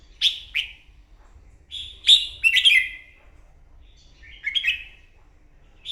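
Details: Red-whiskered bulbul singing competitively in the morning, a newly caught bird: quick chirpy phrases open the clip, then louder tumbling warbled bursts at about 2 and 4.5 seconds, bright and slurred, separated by brief silences.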